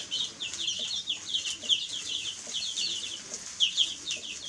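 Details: Domestic chicks peeping nonstop, a crowded flock of shrill, thin, falling chirps tumbling over one another, some peeps brighter and louder than the rest.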